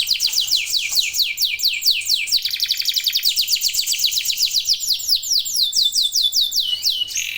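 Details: Local canary singing hard with others joining: long runs of quick, high descending whistled notes, changing to a lower rapid trill midway, then back to falling sweeps.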